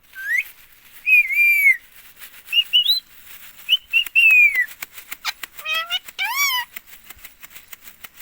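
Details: Pet green ring-necked parakeet in India, talking nonstop and repeating "mummy": clear rising whistled notes followed by harsher, nasal word-like sounds with stacked overtones, loud and close in a quiet room.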